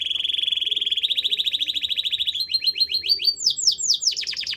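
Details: Singing canary delivering a rapid high trill that gradually slows, breaking into repeated descending whistled sweeps at the close.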